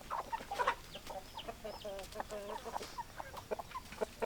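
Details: Hens clucking in a farmyard flock, a busy run of short overlapping clucks and quavering notes from several birds, steady throughout with soft background noise.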